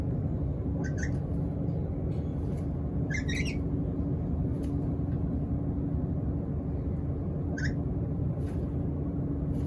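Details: Hungry black-capped lory begging with a few loud, harsh, ringing squawks in brief bursts separated by pauses of several seconds, against constant low droning background noise.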